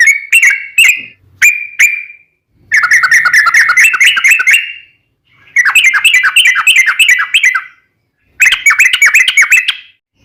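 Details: Sooty-headed bulbul song played as a lure to make others answer: a few separate clear whistled notes, then three bursts of fast, bubbly trilled chatter, each lasting one to two seconds, separated by short silences.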